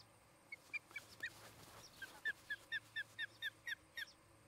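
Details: Osprey (Pandion haliaetus) of a nesting pair at a nest in Charlo, Montana, recorded on 17 August 2018 in the afternoon, giving about a dozen short, sharp, slightly uneven whistled chirps over a faint background hum.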